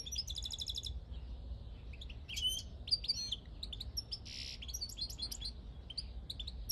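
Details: Countryside European goldfinch in 2022, giving a bright, jumbled song of rapid chirps, trills and high buzzy notes. It opens with a quick repeated ticking burst, over low steady background rumble.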